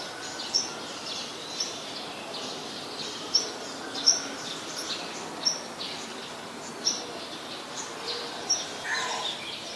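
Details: Male scarlet-backed flowerpecker, a very common resident, recorded at Ubon Ratchathani, Thailand, on 18 February 2021: sharp, very high, thin ticking notes given singly at uneven gaps, about eight in ten seconds, over a steady hiss of background noise.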